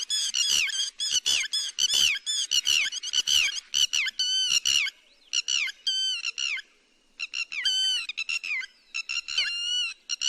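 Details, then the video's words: Lapwing call used to draw birds into nets: clusters of loud, strident, downward-bending notes, first in quick runs, then in separated groups of two or three with brief silences. "Tiếng chim te te mỏ vàng cực nhậy .đánh lưới chuẩn nhất"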